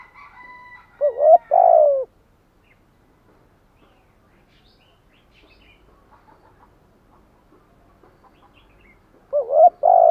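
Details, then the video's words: Urging coo of a spotted dove, a loud two-note-and-long-coo phrase at the start and another beginning at the end, with long quiet between holding faint chirps. "chim cu gay bai ban THÚC GÙ"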